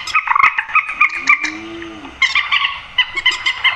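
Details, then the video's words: Grey-headed swamphen giving loud, nasal, honking notes in quick ragged bursts, harsh and bright, with a short pause; a brief low drawn-out tone sounds midway, used as a lure call for night netting. "tiếng trích ré"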